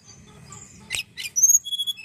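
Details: Song of a young Tledekan in training, played to get other birds singing: two brief harsh bursts, then thin, pure, very high whistled notes held at several pitches.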